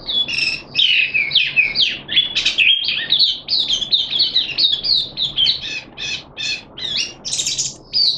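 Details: A captive Malaysian Oriental white-eye in full song display: a fast, unbroken jumble of high, thin twittering notes and slurred chirps running for several seconds.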